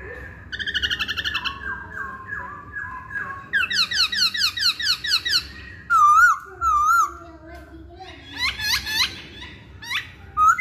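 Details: Loud, varied Hwamei song: repeated descending whistled notes, a series of rapid rising slurs, wavering pure whistles, then sharp upswept notes, with faint background hum.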